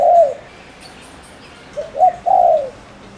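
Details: Spotted dove from Ninh Thuận, a lure bird cooing to provoke males quickly: one low, soft hooting coo at the start, a pause, then a three-part coo with a short note, a rising note and a long falling note.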